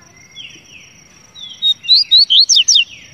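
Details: After soft downslurred whistles in the background, a double-collared seedeater sings a lively phrase of six loud, twisting whistled notes that ends abruptly.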